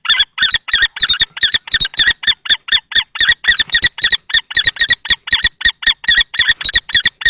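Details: Common kestrels at a nest box in Théding, 20 March 2024: an adult male fights a young male in juvenile plumage for the box. A fast run of harsh, high, even notes, about two per second, fills the clip.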